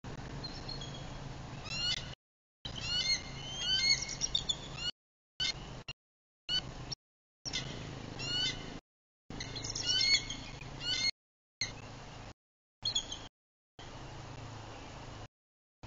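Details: Bald eagles at a nest in Bluff City, Tennessee, disturbed by an intruder in their territory at sunset; high, thin chittering and piping notes come in repeated bursts, broken by gaps, over a steady low background rumble.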